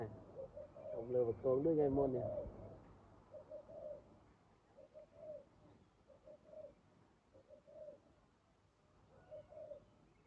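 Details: Spotted dove in decoy trapping, a brief burst of harsh chatter early, then evenly paced soft coos in pairs repeated every second or so.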